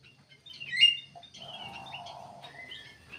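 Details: Lively song of a black-capped bulbul, used as a lure to draw other birds or set them singing: bright whistled notes and short slurred phrases over a steady low hum, with a brief mid-pitched buzzy stretch.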